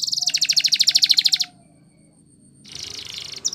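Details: Spanish Timbrado canary training song: a fast pulsed metallic trill lasting over a second, a short pause, then another rapid buzzy rattle.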